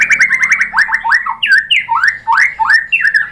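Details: Varied song of a White-rumped shama (murai batu), played to provoke a bird into answering: a quick chattering run, then a series of loud, upward-swooping whistled notes, each slightly different.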